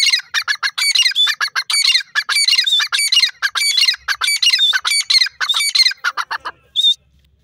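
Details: Grey francolin, known locally as Irani or bhora teetar, calling loudly: harsh, squawking notes with ringing overtones delivered in rapid runs of about 90 per minute. Short gaps break the runs, and the calling ends with a lone higher note.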